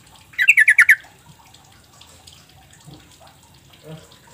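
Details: Sooty-headed Bulbul call used as a lure for quiet birds: a short, loud burst of six quick chattering notes, followed by several seconds of faint splashing, tapping and indistinct background sounds.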